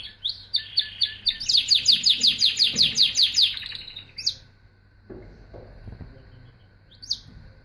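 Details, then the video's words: Canary singing a string of about fifteen rapid, evenly spaced high notes in a rolling trill, then a few isolated chirps, with a steady faint hum underneath. "Singing Canary"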